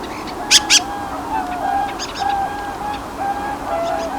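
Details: Dusky thrush calling, one bird among many in the area: two sharp, high, clipped notes in quick succession near the start, then fainter short chips, over a steady low hum and background noise.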